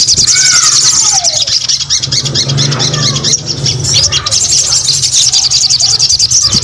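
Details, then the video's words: Crescent-chested babbler pours out a continuous stream of thin, very high twitters, with a few lower descending whistled slurs early on and steady background hum. "SUARA SOGON GACOR"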